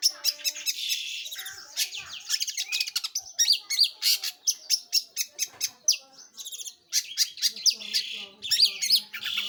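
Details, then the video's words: Long-tailed shrike singing actively, a long varied medley of rapid scratchy chatter, buzzy trills and squeaky whistled notes, with rhythmic clusters of sharp chips. "burung pentet/cendet gacor"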